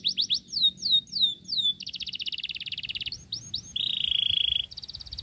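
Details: Sooty-headed bulbul chick fed crickets, begging: a row of descending whistled squeaks, a long rapid stutter, a few rising squeals, then a flat harsh buzz.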